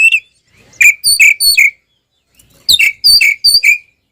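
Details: Fighting song of an Oriental magpie-robin, used as a provocation for other magpie-robins; two groups of three or four clear whistled notes, each sliding down, separated by a short silence.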